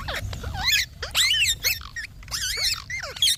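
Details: Green talking parrot making wobbling, warbled squawks with looping pitch and several falling tails, delivered in close bursts with short gaps.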